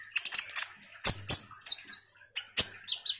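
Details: Common iora chattering vigorously as a lure for sunbirds: dense bursts of high twittering and strong sharp clicks mixed with short buzzy mid-pitched notes.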